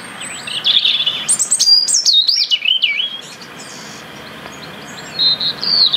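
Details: European robin in the UK singing to maintain its winter territory: rapid, varied high warbling with zigzagging whistled notes, then a quieter gap and a final short sliding phrase.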